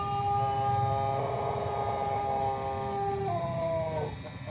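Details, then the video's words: Pelung chicken from Plered, Purwakarta Regency, giving a long, drawn-out crow. A steady, rich harmonic tone holds for about three seconds, then shifts slightly higher and fades near the end. Low background rumble underneath. "Kompilasi Suara Ayam Pelung Plered (A.P.P) Istimewa"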